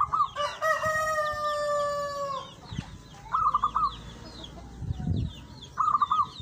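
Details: Local zebra dove (perkutut) singing actively: three quick rolling coo phrases spread across the recording. A rooster's long crow overlaps the first phrase, small birds chirp throughout, and low rustles are heard.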